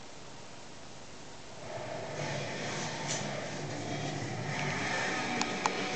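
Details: Steady indoor broadband hum that grows louder midway, with two sharp clicks near the end and no animal voice.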